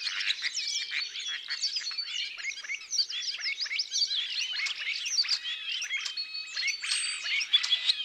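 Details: Spreeuw, the common starling, delivering a busy, unbroken stream of high squeaks, clicks, warbled slurs and brief whistles, densely packed without pause.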